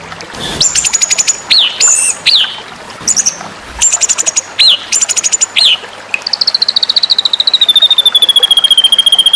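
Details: White-rumped shama in a contest-training recording: clear whistles, sharp upward-hooked notes and short bursts in separate phrases, followed by a long, rapid, steadily descending trill.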